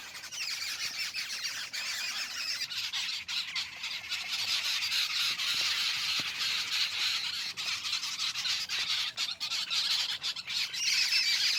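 Jungle babblers keep up a dense, harsh chatter of rapid squawks and squeaks, several notes a second, with no other clear sounds.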